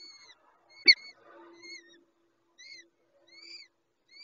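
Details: Peregrine falcon nest during a feeding by the mother: short arched rasping calls from the young, one sharp loud knock, then sparse calls with pauses.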